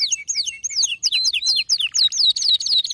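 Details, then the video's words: Male canary in a heated burst of song, looping wavy whistled notes that rise and fall in quick succession, bright and high. "هيجان ذكرى كناري سيجبر كناريك على التغريد فورا"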